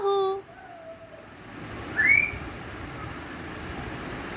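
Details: A pet African grey parrot repeating "Allahu" gives a short, voice-like phrase with a low steady tone, then a rising whistled note, against a faint room hum.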